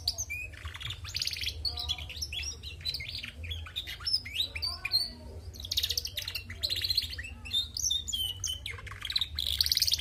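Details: Female canary singing busily and without a break for ten seconds, mixing buzzy trills, sharp high chirps and brief whistled slides in a dense, jumbled chatter over a low background hum.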